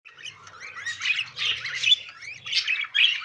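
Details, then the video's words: Pet budgerigar brothers during mating behaviour, giving a busy chattering warble of rapid chirps and squeaky notes that rise and fall, with loud bursts near one and a half, two, and three seconds. "Budgie Brothers Mating"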